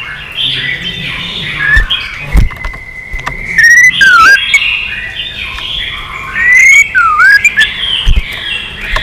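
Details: White-rumped shama, stirred into competitive singing, gives long level whistles and looping slurred notes over a muddled background with occasional thumps.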